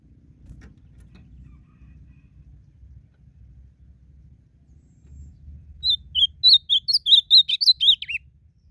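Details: Wild blue-black grosbeak in a singing duel outdoors: about six seconds of faint low background hum, then a loud burst of roughly thirteen quick, sweet whistled notes that close with a descending slurred note.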